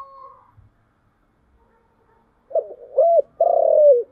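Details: After a quiet stretch, a spotted dove in 'giọng thổ chiêu gù' style gives a burst of low throaty notes, a short hollow coo, then a long, steady coo that drops at the end.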